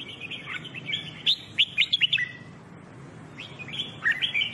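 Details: A Red-whiskered Bulbul in singing training sings two quick bursts of bright, chirpy, warbled notes, each about a second long, over a low steady hum.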